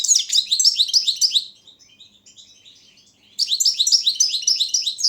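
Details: Competition song of a Balkan goldfinch, Carduelis carduelis balcanica, entered in an online world championship: fast high twittering trills, a quieter pause with soft notes, then the bright chattering resumes.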